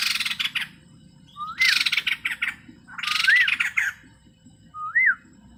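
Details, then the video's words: White-crested laughingthrush, a male, singing at full intensity: rising whistled slurs near 1–2k followed by loud, harsh, broadband chattering bursts, repeated in separate phrases with pauses, and a lone upslurred whistle at the end. "burung poksay jambul putih gacor full isian"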